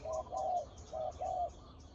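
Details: Spotted dove calling during a decoy-luring session; two soft paired coos, each a brief note followed by a longer level hoot, fairly low and mellow, over a quiet rural background.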